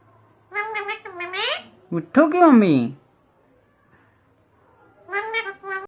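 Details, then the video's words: Indian parrot copying Hindi speech, uttering quick clusters of voiced, word-like syllables, one long wavering phrase in the middle, a pause, then a final short run of syllables. "indian parrot talking बोलने वाला तोता.....नकलची तोता..प्यारा तोता.."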